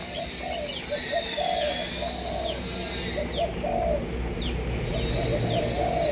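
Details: Spotted doves of several Malaysian lines give soft, low, rounded coos that repeat and overlap steadily throughout. Thin, high chirps and sweeping notes from other small birds are scattered above them.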